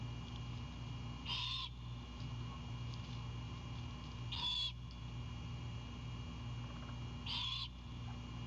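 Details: Great horned owlet greeting its returning mother with chips at a Savannah nest at 22:21, when she brings an Anhinga. Three harsh, breathy bursts about every three seconds, each under half a second, over a steady background hum.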